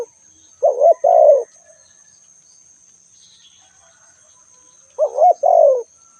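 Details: A spotted dove repeats its coo phrase twice about four seconds apart, each a quick pair of short notes running into a longer, falling coo, with silence between apart from a faint high whine.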